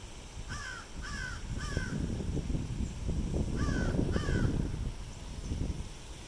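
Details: Harsh crow caws near a fountain at the University of South Carolina Beaufort, Hilton Head Island, SC: three caws about half a second apart, a pause, then two more, over a loud low rumble.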